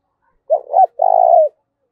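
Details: Spotted dove giving a 'giọng thổ pha' coo to provoke rivals into fighting: a short two-lobed note, a pause, then a drawn-out vibrating coo ending with a slight downward slide.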